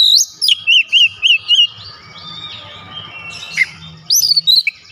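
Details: White-rumped shama delivering a series of five quick looping whistled notes, then a pause with faint background hiss, ending in a burst of high twittering phrases.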